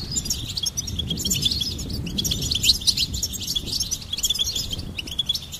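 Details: A goldfinch sings a dense, continuous high twitter of tinkling notes and buzzy trills, with a steady low background hum beneath.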